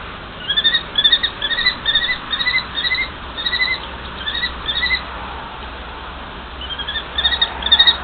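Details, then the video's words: Mated pair of common kestrels calling back and forth: brisk series of short, clipped, upslurred notes in bursts, a pause of over a second, then the rapid calling resumes more loudly. "Sokol myšiar - Manželský rozhovor"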